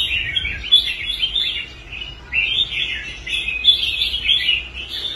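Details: Caged red-whiskered bulbul performing on a competition rack after being restored from quitting fights. Clear, bubbly whistled phrases come in two bursts separated by a short pause, against a quiet background.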